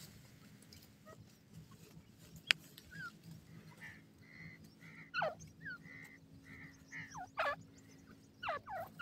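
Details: Grey francolin calling: a series of clear, tonal whistled notes repeated at short irregular intervals, growing louder and more emphatic toward the end, with a constant low mechanical hum and a sharp click early on.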